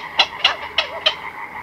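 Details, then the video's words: Black-crowned night herons, chicks and adults, calling in a colony at night, recorded close up: four short, harsh, clicking barks, each about a quarter-second apart, over a steady background hum. "Black-Crowned Night Heron. Calls CU From Chicks & Adults In Colony At Night"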